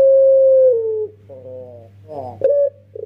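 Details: Young Barbary dove kept as a lure bird, pelung style: the falling tail of a long coo, then rough wavering notes, a short bright call and the pulsed start of the next coo.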